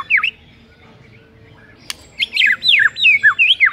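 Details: A white-rumped shama sings in the morning to challenge a rival: a lone slurred note, a pause with a click, then a fast string of high down-sweeping whistles with some chattering notes.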